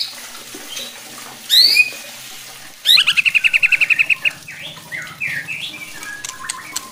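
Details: White-rumped shama song meant to provoke rival shamas: a sharp high swoop, then a rapid rattling series of about a dozen notes, followed by varied whistled phrases and scattered ticks.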